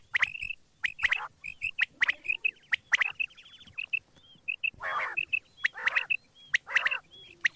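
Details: Quail in the morning: clipped, repeated chirps interspersed with several harsh, buzzy squawks toward the end, the notes spaced irregularly.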